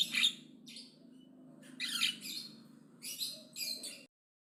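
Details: Javan myna, described as aggressive and chattering loudly; a series of harsh, raspy, hissing bursts in short clusters, about five over four seconds with gaps between, over a steady low hum, then sudden silence.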